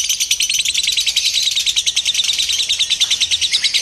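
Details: Lovebird heard during a singing-contest simulation used to train its mental readiness; continuous fast, high-pitched chattering with steady pulsed chirps, about three per second, lively and unbroken throughout.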